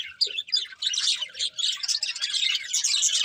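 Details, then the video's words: Happy budgerigars eating and singing: a few sharp chirps open, then a dense run of rapid twittering warble from several birds. "Happy Budgies Singing and Eating | Love Birds Chirping Sounds"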